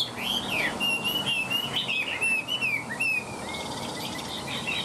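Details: Chinese hwamei singing from a cage while spreading its tail and working its wings: a sweet, wavering whistled phrase gliding up and down, then a brief fast warble.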